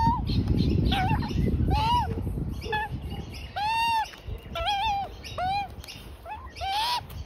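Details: Young Australian magpie feeding with both parents in a front yard, uttering a series of thin arched squealing notes, some longer and drawn out, amid background rustling and light human voice.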